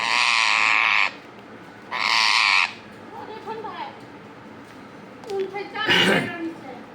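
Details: Two rose-ringed parakeets: two loud, harsh, buzzy screeches, one lasting about a second and the next slightly shorter, then softer rasping notes mixed with brief human voice sounds.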